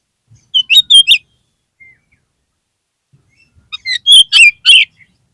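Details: Lure song of the kacer, the oriental magpie-robin, played to boost a low-spirited bird: three quick whistled notes, a quiet gap of about two and a half seconds, then a louder burst of six chattering, slurred notes.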